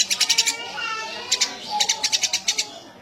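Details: Eurasian tree sparrow chirping vigorously, opening with a fast run of about six scratchy notes, then after a pause a longer series of evenly spaced chirps.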